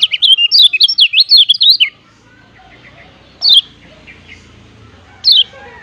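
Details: A Lombok yellow white-eye (kecial kuning, Zosterops), used as a lure or tutor call, gives a quick burst of high, twittering chirps for about two seconds, then two single thin, falling notes a couple of seconds apart.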